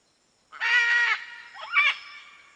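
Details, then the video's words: Macaw uttering a loud, harsh, drawn-out squawk with a rough grating quality, followed by a shorter, wavering screech. "SOM DA ARARA"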